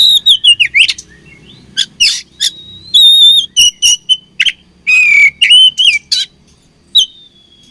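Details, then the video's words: Oriental magpie-robin, said to be fighting, pouring out a fast, varied medley of whistled slurs, sharp clicks and grating buzzes, about three notes a second, in a quiet setting. "Beautiful Chirping Sound Of Fighting Birds"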